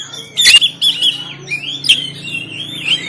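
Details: Banten oriental magpie-robin in a cage, recorded on a phone, with a loud harsh burst followed by sliding whistled phrases over a faint background hum.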